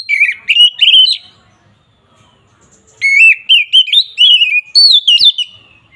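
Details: Oriental magpie-robin singing agitated 'ngeplong' fighting song to provoke rival birds: a short warbled burst, a pause, then a long run of sharp whistled and rising notes.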